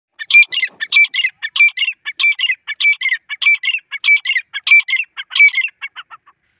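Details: Grey francolin in the jungle giving a loud, harsh series of repeated calls, about ten ringing phrases at roughly two-thirds of a second each, steady and rhythmic, over a clean, quiet background.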